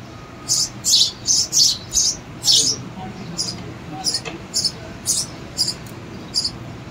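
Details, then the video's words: Baby sparrows calling in quick raspy, buzzy bursts, loud at first then fading into shorter, softer chirps, with a faint low hum behind. "sparrow babies"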